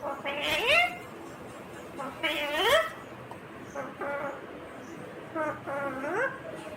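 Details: Green ringneck parrot speaking in a natural setting, producing four rasping, word-like phrases whose tones sweep upward, each about half a second long, evenly spaced, with soft background noise.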